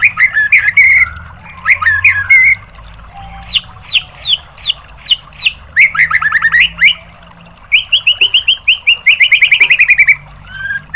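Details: Caged-bird training song of a white-rumped shama in tembakan style: varied chattering whistles, a series of sharp falling notes, burry phrases, then a quick rattling trill.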